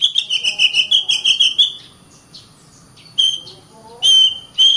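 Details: Oriental magpie-robin delivering a rapid string of about a dozen evenly spaced whistled notes, followed by a quiet gap and three separate loud whistles near the end.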